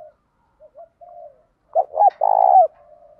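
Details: Decoy spotted dove calls, male and female, meant to draw wild doves in and provoke fighting: soft low murmured coos, then a loud phrase of two short coos and a long drawn-out one ending in a falling tail.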